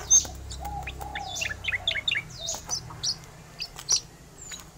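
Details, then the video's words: Rolling song of an Oriental magpie-robin, a busy jumble of quick whistles, chirps and sharp clicks. High thin notes mix with lower slurred tones, and short loud accents punctuate the phrase. "cica koreng gacor suara ngeroll"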